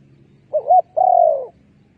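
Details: Spotted dove decoy call for trapping wild doves. A short wavering two-part coo is followed by one long, steady, slightly falling coo lasting about half a second. The background is quiet.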